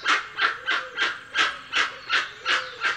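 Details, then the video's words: Dusky-legged guan producing coarse, honking barks in a steady rhythm of nearly three per second, each note broad and harsh, with faint whistling from other birds. "Canto do Jacuguaçu Penelope Obscura"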